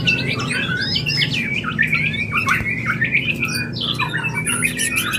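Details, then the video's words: Mating call of a white-rumped shama, played to stimulate breeding readiness: dense, continuous jumble of looping whistled notes and harsh squawky accents, with a low background hum underneath. "Murai Kawin Suara Jernih"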